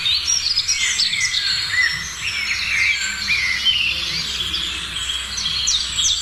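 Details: A mixed morning chorus of many birds, with a thick tangle of high chirps, trills and short whistles that never lets up, over a quiet low rumble.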